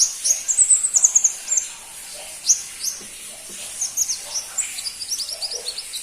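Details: Pentis pelangi or crimson-breasted flowerpecker opening with a fast burst of high, shrill twittering notes. After a pause, scattered thin chips follow and then a quicker rattle of tiny high ticks.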